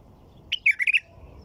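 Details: Single quick phrase from a white-eared bulbul: a short upward note followed by three or four rolling, liquid, warbled syllables, clear and close against a low hum.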